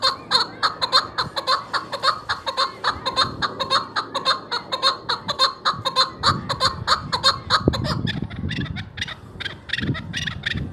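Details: Chukar partridge, presented as a hunter's chukar sound, delivers a long fast run of chuckling notes near two per second, the series fading and loosening after about eight seconds as low rumbling noise rises.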